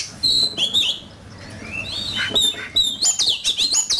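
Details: An oriental magpie-robin sings hard in competition, its bright whistles rising and falling, a quiet gap in the middle, then a fast run of sharp, high, wavering notes.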